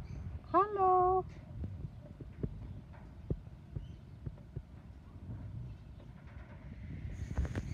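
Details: A female Eclectus parrot at an aquarium says a single clear, voice-like "hello", rising then level, lasting under a second, over a low background murmur with scattered clicks and knocks.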